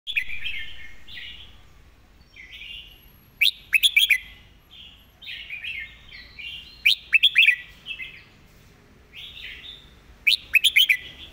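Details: Red-whiskered bulbul singing a quick, repetitive master-song style: loud bursts of four or five sharp, rising whistled notes about every three and a half seconds, with softer warbled phrases in between.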